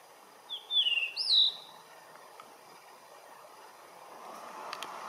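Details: Blue rock thrush singing from its accustomed perch: a loud phrase of rich, down-slurred whistles followed by an up-and-over note, then steady hiss with a few faint clicks.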